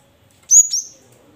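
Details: One cinereous tit phrase, played to coax quiet caged birds into song: two shrill high whistles in quick succession, clear against silence.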